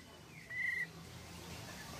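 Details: A Malaysian pied fantail gives one clear, steady whistled note, briefly sliding in before holding level, over a soft low background hum; a lure recording to prompt other fantails to call.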